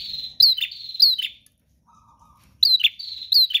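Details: Energetic gacor song of a bar-winged prinia: two rapid runs of bright, sliding chip notes, broken by a silent gap with a soft low buzzing note, then the high chipping starts again.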